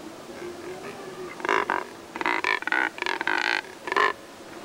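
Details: Group of Neotropic cormorants resting and sun-drying on Lake San Pablo near Otavalo, Ecuador, some jostling one another; after a quiet start, loud nasal croaks come in clustered bursts, with a low steady hum beneath.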